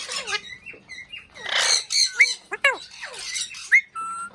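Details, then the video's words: Indian ringneck parrot talking indoors: raspy, speech-like squawked phrases mixed with gliding whistles and a sharp rising chirp, in short bursts with pauses between. "Raw Parrot talking"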